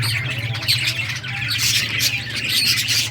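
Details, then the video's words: A group of budgerigars chirp while playing, a busy stream of bright twittering notes and short squeaks layered over one another, with a constant low hum underneath. "Budgies playing and chirping"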